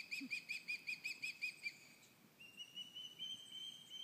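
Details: Osprey alarm calls on Cleawox Lake on a morning after the chicks fledged, fledglings and adults vocal near the nest: about eight short, clipped whistled cheeps in quick series, then a long thin steady whistle.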